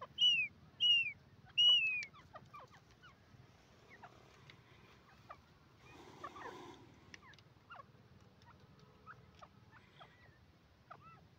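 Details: Male grey francolin giving three loud, shrill calls, each note sliding down in pitch, in the first two seconds; then fainter scattered chirps and a soft rustling burst over steady low background hum.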